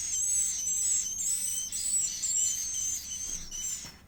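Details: A swiftlet chick of the edible-nest species begs during feeding, giving a continuous series of shrill, high-pitched wheezy notes that fade slightly toward the end.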